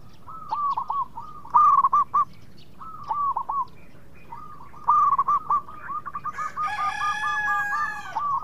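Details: A local zebra dove sings vigorously as a lure to draw quick replies from rivals: bursts of rapid, bubbling coos with short gaps, ending as a rooster crows loudly over the last notes.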